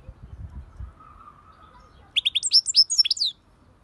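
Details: A short European goldfinch song phrase of about a second: sharp, rising and falling chirps in quick succession. A faint low hum precedes it.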